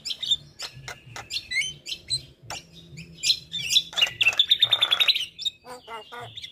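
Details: Male Javan myna, a tutor bird for other mynas, giving clicks and short whistles that build into a fast rattling trill of even pulses, then drop to softer chattering notes.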